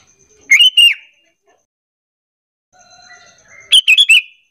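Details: Sooty-headed bulbul lure call, used to get other bulbuls calling back and forth; two loud, bubbly, chattering phrases with a quiet gap between, softer tonal notes faintly audible before the second phrase.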